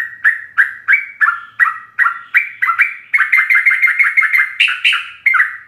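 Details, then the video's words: Rapid 'ropel' song of a sooty-headed bulbul, filled with varied phrases and used to train captive birds: steady chain of short bubbly two-note whistles, about three per second, quickening into a tight burst. "Ropelan trucuk gacor full isian"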